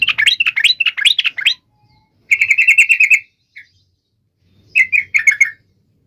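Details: Clear, loud sooty-headed bulbul song in quick bursts: a warbled phrase, a fast even trill of chirps, a lone note, then a short chattering phrase, in quiet surroundings; to rouse other trucuk birds.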